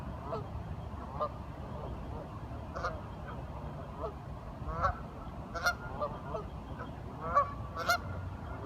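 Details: Ducks calling over a steady low background hum: soft scattered nasal notes at first, then several sharper honks closer together toward the end.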